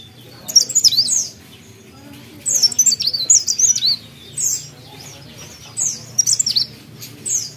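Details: A mountain leaf warbler sings actively, giving repeated bursts of quick, high, zigzagging twitters, each lasting under a second, with brief silences between them and a soft low hum behind.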